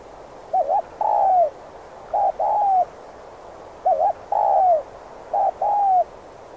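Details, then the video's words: Spotted dove lure cooing in the 'thúc gù' style for trapping wild doves: four phrases alternating a quick wavy or clipped note with a sustained coo that drops in pitch at its end, in a calm setting. "Chim cu gáy kích bổi nhanh nổi/cu gáy Thúc Gù kích bổi ức chế mau gáy/dùng bẫy cu rừng hiệu quả"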